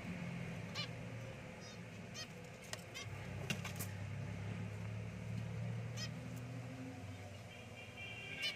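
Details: Zebra finches, a grey male and an albino white female with five chicks, give short, nasal, honking calls over a steady low hum.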